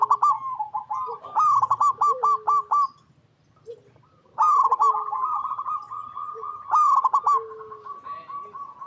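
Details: Zebra dove cooing in the local style used to prompt others of its kind to sing. Rapid, stuttering pulsed coos come in two long bouts separated by a pause. Lower, softer coos sound beneath them.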